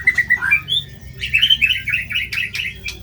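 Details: White-rumped shama singing vigorously with harsh material, used as a tutor recording for training birds: clear whistled notes that step up in pitch, then a fast run of warbled, slurred phrases, with a low steady hum underneath.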